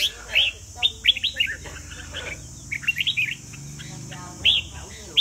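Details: Red-whiskered bulbul from Vietnam in a singing competition, giving short bright warbled and chirped phrases in bursts separated by brief pauses, with a steady high background hiss.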